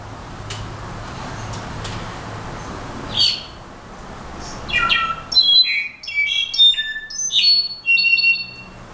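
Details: Brown-backed solitaire: after a few faint scattered notes, a burst of clear, high, pure whistles at varied pitches, some level and some gliding, strung together over the final few seconds.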